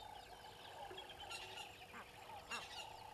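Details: An Egyptian goose family at Gowrie dam waterhole, Djuma Game Reserve, Sabi Sand, South Africa, 09:18 on 25 December 2021, gives harsh, nasal honking calls, two louder bursts close together near the end, over a steady hiss.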